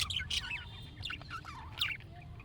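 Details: Budgerigar chirping, meant to set off a reply from a pet budgie: continuous chattering warble of quick, bright, wavering high notes with sharp chirps between, over a low background rumble.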